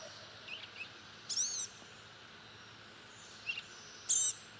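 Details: Blue-gray gnatcatcher giving two high, thin, wheezy arched calls about three seconds apart, each with layered overtones, plus softer short chips in between against quiet background hiss.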